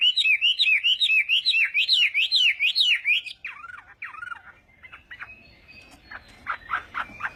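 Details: Chinese hwamei singing in the morning, a fighting-style voice practice song: loud whistled phrases of looping, up-and-down notes repeated about twice a second, then broken into shorter choppy and buzzier notes.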